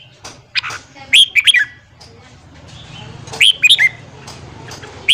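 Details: Red-whiskered bulbul morning song meant to fire up newly caught birds: two cheerful phrases of quick, warbling whistles a couple of seconds apart, with faint chirps and a low background hum.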